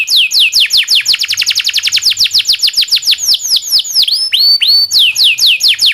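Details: Local canary singing as tutor for magpie-robins, shamas and leafbirds; quick descending notes accelerating into a rapid roll, then looping upswept whistles repeated.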